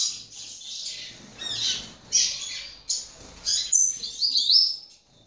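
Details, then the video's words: Juvenile double-collared seedeater, bred in captivity in Brazil, gives a high, scratchy warbling song in short rising and falling bursts, ending in thin, sharp whistled slurs. "FILHOTE DE COLEIRO"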